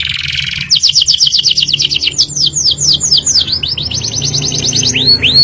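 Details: Domestic canary in energetic ngerol nembak song, a rapid rolling series of steep falling high notes that speeds into dense chattering trills, ending with a few sharp upward slurs; low droning hum underneath.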